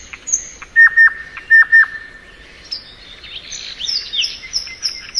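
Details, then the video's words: Thrush nightingale song in spring: a few thin high notes, loud paired level whistles repeated twice, then a jumble of high twittering and slurred notes. "Nightingale Song.(Luscinia)."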